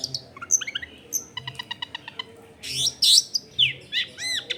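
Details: Long-tailed shrike singing energetically, recorded at a home in a densely populated area: quick varied whistles, a run of repeated ringing notes, then harsh buzzy bursts and sweeping chirps, with faint low household background noise.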